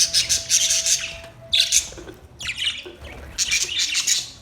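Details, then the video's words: Budgerigars chattering together in a dense, continuous mix of harsh squawks and high warbling chirps, rising and falling in bursts over a faint steady hum. "Budgies birds chirping sounds Budgies parrot sounds"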